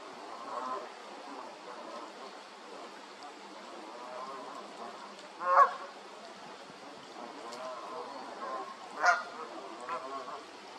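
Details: Canada goose calling with two loud, harsh honks about three and a half seconds apart, set against a low chorus of softer chatter and hiss.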